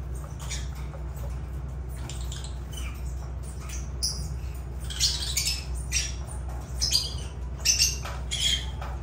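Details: Harsh, shrill lovebird squawks, sparse at first, then coming in quicker, louder bursts during the second half, against a steady low hum.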